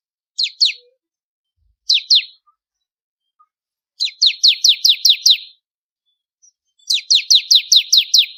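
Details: Bar-winged prinia song in the ciblek kristal style used for training birds: short pairs of sharp falling notes, then two longer rattling series of seven or eight high chips.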